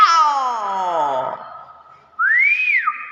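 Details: Common hill myna in its natural voice: a long, harmonic-rich note that falls in pitch and fades, followed after a pause by a clear whistle that rises and then drops.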